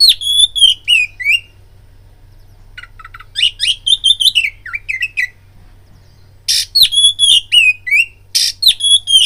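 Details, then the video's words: Oriental magpie-robin singing as a lure meant to provoke fighting: loud, high whistled phrases with sharp downslurred notes and rapid chirps in bursts separated by short pauses, with a steady low hum beneath. "BIRAHI TARUNG KACERMU NAIK DENGAR PANCINGAN KACER INI"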